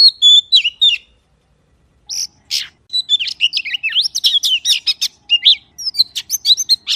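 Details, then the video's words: Oriental magpie-robin gives a short whistled phrase, falls silent for a moment, then bursts into a long run of rapid, varied whistles and sharp chips that rise and fall. "សំលេងសត្វល្វាចេកច្បាស់ល្អណាស់ (30នាទី) / Good sound of magpie (30 minutes)"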